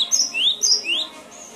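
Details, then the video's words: Cinereous tit (gelatik batu) song, a training recording meant to prompt caged birds that are slow to sing: a high thin note followed by a rising whistled slur, given twice, then a fainter high trailing note. "Suara masteran burung gelatik batu"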